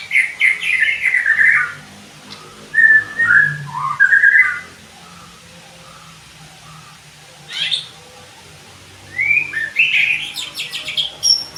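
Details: Training song of a white-rumped shama: bursts of rich whistles and quick slurred notes with long silent gaps, a sharp high note midway and a final rising, buzzy phrase.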